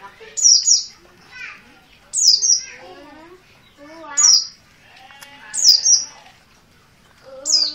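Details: Insistent calling by a dakun Merapi oriental white-eye, untrained: repeated high twin downslurred chirps at irregular intervals, mixed with lower rasping harmonic sounds and a brief spoken exclamation.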